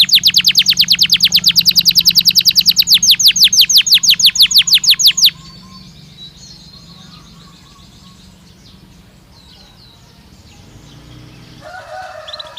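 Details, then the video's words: Belgian canary singing naturally: a five-second run of fast, evenly repeated descending whistled notes, followed by quiet with faint distant chirps and a rising background murmur near the end. "Canario Belga Cantando Naturalmente"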